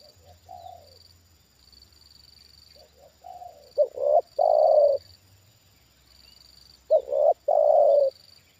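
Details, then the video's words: Captive trained spotted dove answering a wild bird lowered near it for the second time. Soft, distant-sounding coos open the clip, then two strong phrases follow about three seconds apart, each a clipped note then a drawn-out coo. A thin high whine comes and goes. "Inilah Reaksi Tekukur Ajaran Di Turunin Burung Liar Untuk Kedua Kalinya"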